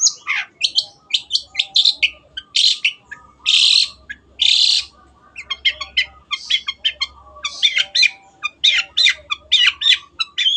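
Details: Long-tailed shrike (cendet) in full 'gacor' song for training kept birds: long runs of fast high chatter broken by several drawn-out harsh rasps, then more rapid, varied twittering.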